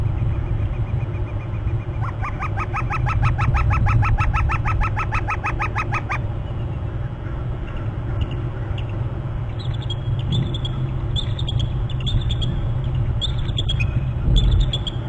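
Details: Bald eagle calling on Hornby Island at a nest territory on March 11, an eagle flying by before being displaced by an adult; rapid harmonic chittering series for about four seconds, later thin high notes, strong low wind rumble throughout.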